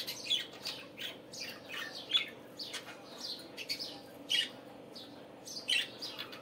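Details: Budgerigar morning chatter: continuous overlapping chirps and buzzy warbles, punctuated by louder sharp squeaks every one to two seconds.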